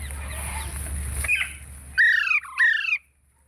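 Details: Parrot talking: after a stretch of broadband noise and murmuring, two clear, harmonic, descending syllables of about half a second each, spaced closely, then quiet.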